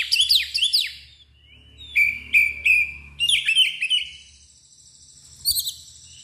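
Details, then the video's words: An excited Oriental magpie-robin, tail spread, pours out a loud continuous song of rising and falling whistles, repeated clipped notes and a sustained high trill, with a low background hum. "KACER gacor NGEPLONG emosi DAN BUKA EKOR"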